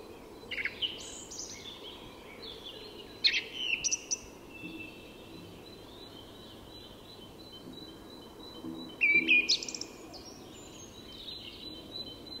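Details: Dawn song of a song thrush in Tyresta National Park, Sweden: three separate bursts of high, scratchy and whistled notes, the last a quick rattling cluster, with quiet pauses between.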